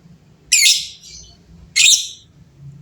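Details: Lovebirds calling in turn among a group; two loud, harsh, raspy squawks about a second apart, with a low hum in the background.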